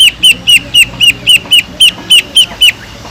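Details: Greater green leafbird in full song with mimicked kingfisher phrases: a steady series of about a dozen sharp, ringing, high notes, evenly spaced and repeated roughly four times a second.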